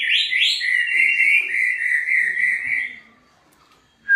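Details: White-rumped shama singing as therapy to get other shamas singing: two quick rising whistles, then a long, slightly wavering whistled note held for about two seconds before fading to quiet.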